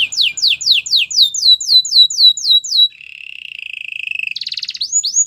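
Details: Canary song for training other canaries: rhythmic falling whistled notes about four per second, then a long rolling trill that speeds up, ending in rising swept notes.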